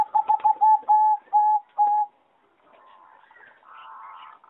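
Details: Zebra dove bred for competition singing, recorded in an aviary on 26 April 2014: quick clipped coos slowing into evenly spaced longer notes over two seconds, then faint chirping from other birds.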